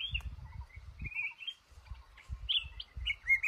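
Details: Male red-whiskered bulbul at a trapping spot in a cashew garden, singing short warbled phrases that jump between mid and high pitch, some rising sharply, with low thumping handling or wind noise beneath.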